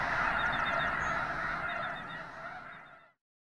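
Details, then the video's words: Arctic white geese by the thousands take off simultaneously at Summer Lake Wildlife Area, Oregon. Loud massed honking with some higher short chirps fades steadily and cuts to silence after about three seconds. "Arctc Geese flock takes flight"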